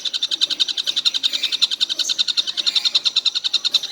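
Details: Collared kingfisher that keeps calling all day: an unbroken run of sharp, dry, evenly spaced notes, about eight per second, high and metallic throughout.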